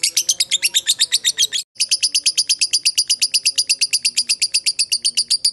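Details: Lovebird of fighter type in long ngekek chatter, played as a lure for other lovebirds: two bursts of quick, shrill, stuttering notes split by a brief silence, the second run steady and even, roughly eight notes a second.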